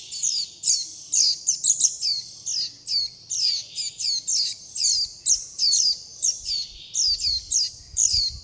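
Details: Nestling warbling white-eyes beg for food and call to the mother and flock. Shrill, high-pitched chirps come in rapid, uneven clusters, some doubled or tripled, and carry on almost nonstop over a quiet background.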